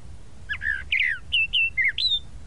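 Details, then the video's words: Song of a tropical mockingbird (sabiá-da-praia) in Brazil: a rapid string of about seven varied notes, clear whistles and harsher slurred phrases, some falling and some rising, delivered within two seconds over low rumble. "A SABIÁ DA PRAIA Tropical Mockingbird"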